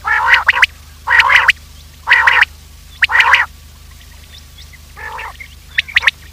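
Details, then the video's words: Quail call used to lure quails in for hunting: a series of four loud nasal, harmonic notes about one second apart, then a softer one and a few high sharp chirps. "Quail trap sound effect : lure in Quails with this effective call"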